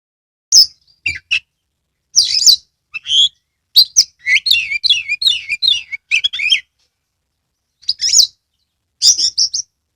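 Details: Caged oriental magpie-robin from Kebumen, Central Java, singing energetically as a lure for silent or lazy birds: bursts of high, sharp chirps and scratchy twittering, with varied phrases separated by short pauses and no background noise.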